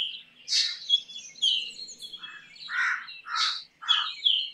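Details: Black drongo (Dicrurus macrocercus) singing a varied run of harsh, metallic and thin whistled notes, ending in lower burry phrases repeated every half second.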